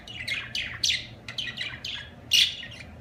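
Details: Budgerigar sounding a series of short, downslurred chirps in quick succession, ending with a louder squeaky note, faint hum in the background.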